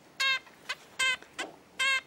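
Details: A 20-day-old hand-reared Red-billed leiothrix chick gives three loud, nasal, ringing calls about 0.8 seconds apart with softer brief notes between, the species' classic contact call, an adult-type call now emerging in the young bird.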